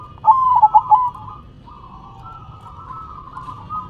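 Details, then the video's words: Zebra dove singing manggung with head movements, one quick burst of stuttered cooing notes, followed by a drawn-out murmur of faint cooing from other doves. "Perkutut BERDZIKIR, Manggung nya Geleng -geleng Kepala"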